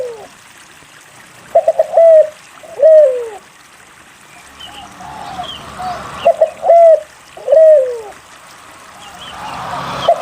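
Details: Spotted dove cooing, used as a lure song to prompt other doves to sing: paired mellow, slightly falling coos in two bursts about five seconds apart, with faint higher chirps from other birds and a trickling sound between phrases.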